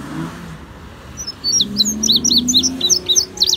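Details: Singing indigo bunting, or azulejo cubano: a rapid run of thin, high, down-slurred notes in quick pairs, with a low vehicle rumble beneath.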